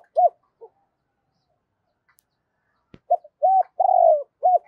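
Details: Low spotted dove coos in 'giọng thổ' style for rousing a decoy bird: a couple of separate notes, a quiet gap of about two seconds with a faint click, then a phrase of arched coos around one long wavering coo.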